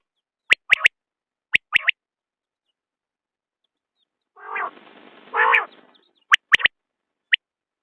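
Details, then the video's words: Sharp triple whistles from a common quail open and close the sequence, broken in the middle by two nasal, rasping low notes; quiet background. "بٹیر کی آواز/ quail bird sound"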